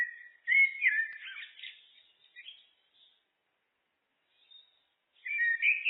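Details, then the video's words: Common blackbird (Turdus merula) song: a fluty, tumbling phrase of varied whistles that trails into softer twittering, then near silence for two seconds before another clear, mellow whistled phrase starts. "Blackbird, Turdus merula, birds (looped), SOUND EFFECT"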